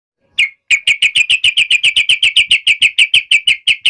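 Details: Yellow-vented bulbul giving an emotional, sharp fighting call meant to make other bulbuls answer at once: a steady rapid series of harsh chattering notes, about five per second, after a single opening note.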